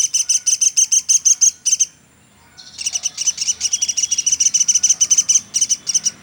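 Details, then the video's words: Platuk sampit woodpecker in a nonstop tutor recording: a burst of shrill, piercing chirps, a pause of about a second, then a faster, denser run of the same high notes. "Burung Platuk sampit dasyat bunyi nonstop"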